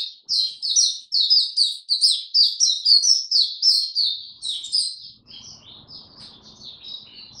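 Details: Mata puteh, the Oriental white-eye, opening into tiong aw song on 25 January 2022 after a late night: a fast, loud run of high twittering notes, about two per second, then fading to soft chirps over faint hum.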